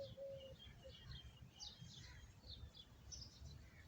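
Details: Birds chirping beneath a Bakayan (chinaberry) tree: scattered short, high chirps and brief twittering notes, with a short lower whistled note near the start, over a steady low rumble of background noise.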